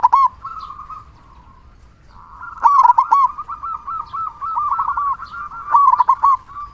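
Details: Loud local zebra dove singing as a prompt for other doves: an opening coo, a soft lull, then a sustained stream of fast, bouncing rolled notes with louder peaks.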